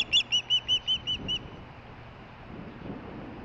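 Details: Nearby, unseen female osprey chirping as she receives a fish delivery on 23 July 2015; seven sharp, high whistled chirps in fast succession, then the series stops, leaving only quiet low background noise.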